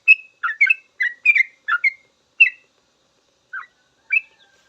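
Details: Sooty-headed bulbul song recorded as a training master for caged birds; a rapid cluster of bubbling whistles in the first two seconds, then a few scattered single notes separated by silence.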